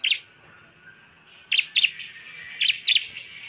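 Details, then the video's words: Bar-winged prinia song used to goad other birds into singing: a sharp high chirp, a quiet stretch, then two spaced pairs of bright, clipped notes. "suara pancingan CIBLEK GACOR biar ngamuk dan ngotot"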